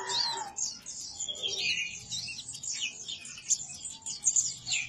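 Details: Ruby-cheeked sunbird of the Sumatran trotol type, singing in the cetrekan and ngobra styles: dense, fast, high twittering trills and chattering notes pouring out without pause, with a lower whistled tone at the start.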